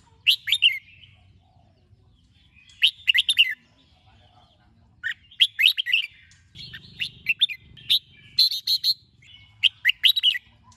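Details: Red-whiskered bulbul's morning training song. Phrases of rapid, bright whistled notes recur every two to three seconds and grow busier and more continuous toward the end. A low hum is heard midway.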